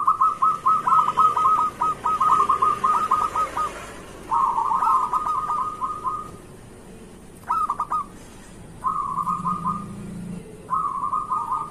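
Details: Local zebra dove singing briskly, recorded as a morning lure for reluctant doves: repeated phrases of fast, trilling coos, a long opening run, then shorter bursts separated by pauses of one to two seconds.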